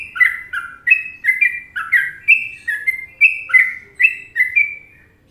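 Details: Indonesian sooty-headed bulbul in Trucukan song style, giving about fourteen rapid whistled notes in five seconds that alternate between slightly higher and lower pitches in a bouncy, even rhythm. Clean, quiet background.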